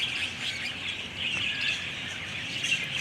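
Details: Many captive budgerigars inside a closed zoo walk-through aviary in Monroe, Louisiana: a dense continuous chorus of overlapping high chirps and twittering, steady throughout with no single bird standing out.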